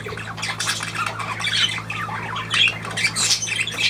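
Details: Budgerigar squawks: harsh, rasping chirps come in quick succession, some sliding up or down, over a low background hum.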